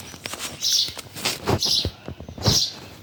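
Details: Birds chirping at Bhimtal: three short, high, hissy chirps about a second apart, mixed with scattered dull knocks and low rustling thumps.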